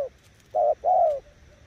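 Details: A single paired coo from a spotted dove: a short flat note, then a longer note sliding gently downward, over low background noise.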